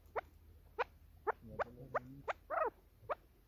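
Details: Female chukar calling: short, sharp, rising notes repeated about every half second, with a brief rougher burst near the end over quiet background hum.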